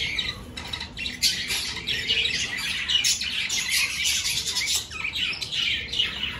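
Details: A budgerigar flock in an aviary as breeding season starts, with clay nesting pots added. Raspy squawks and quick chirps overlap in a steady, busy chatter that swells and dips.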